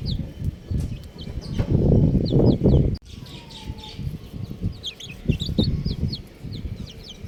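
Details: Chirping buff chicks, with sharp high peeps, are partly drowned at first by a heavy low rumble. After a brief cut they come through clearer, in quick descending slides.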